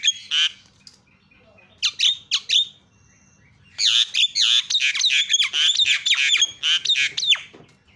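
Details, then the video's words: Javan myna, a calling lure to provoke other mynas: a few isolated harsh squawks, a pause, then a fast unbroken stream of grating, screechy notes mixed with high whistles over the last four seconds. "GAK PERLU LAMA BIKIN JALAK KEBO JADI TERIAK"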